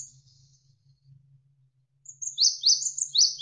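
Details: Javan sparrow in a tutor track for songbirds, flowing water murmuring low behind: after a quiet start, a fast run of piercing, downward-sweeping chirps with thin high ticks fills the last second and a half.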